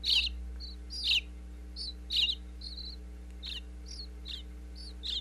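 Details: Nestling bluebirds inside a birdhouse in Pennsylvania, taped close up with a wireless microphone, chirp as the parents visit with food: high, sharp chirps in bursts roughly once a second, with a steady low hum underneath.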